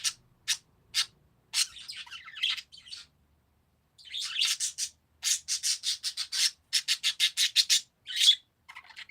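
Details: Parakeets chattering on a quiet background. Thin, high, scratchy chirps come in rapid bursts, some clustered into buzzy runs, with brief pauses between groups.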